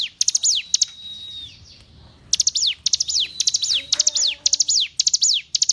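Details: Hill prinia song used as a tutor recording for captive songbirds: quick bursts of clicky notes, each ending in a sharp downward-sweeping whistle, repeated in rapid series. A long steady whistle and a pause break the run, with faint lower tonal notes.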